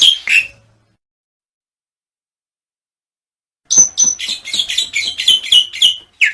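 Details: Black-winged myna song for luring birds into singing: a short harsh note, a long silence, then a rapid run of clipped, chattering high notes in quick succession.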